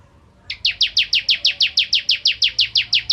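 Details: Bar-winged prinia in vigorous song, used as tutor material for training white-rumped shamas: after a brief silence, a fast steady series of sharp, high, downslurred chips, about three per second, each alike, with no other sounds.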